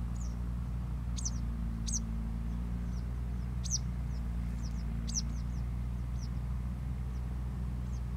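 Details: Eastern yellow wagtail in Malaysian paddyfields, recorded 2 January 2022: thin, high, sharp call notes given singly at irregular intervals over a strong steady low rumble of engine or machinery noise.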